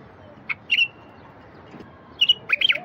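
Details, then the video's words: Wild bulbul song, played to prompt silent wild bulbuls into singing: two short bursts of bright, liquid whistled notes, one early and a bubblier phrase near the end, with quiet hiss between. "تغريد لفتح البلابل الوحشية الساكتة"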